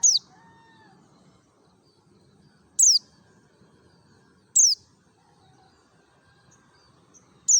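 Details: Mountain white-eye from Merapi in ngalas (wild forest) style, used as a lure: four thin, piercing notes sliding steeply downward, spaced roughly two seconds apart over a faint low background hum.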